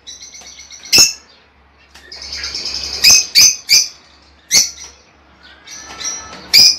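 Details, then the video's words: Lovebird calls meant to get a female to lay eggs. A buzzy, high twitter runs underneath, broken by loud, sharp chirps spaced about half a second or more apart. "Estimular a la agapornis hembra para que ponga huevos."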